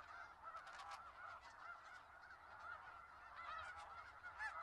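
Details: Skagit Valley snow geese massed together produce an unbroken wash of honking, individual calls mostly blurred into a steady roar of voices.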